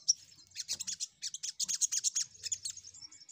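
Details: Quieter crimson sunbird chatter from a lure recording to attract rivals: continuous fast, high, tinkling notes in a rapid jumbled stream, with faint low hum underneath.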